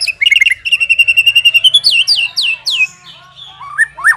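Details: White-rumped shama song used to train captive birds, a steady fast trill of whistled notes, then several looping downslurred phrases and a final rising whistle.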